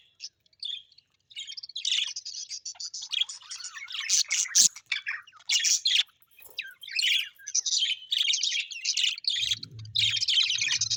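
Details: Happy pet budgerigars, Australian budgies, chirping together: dense overlapping warbled chatter of high scratchy notes with short squawks, continuous with brief pauses, plus a faint low hum near the end.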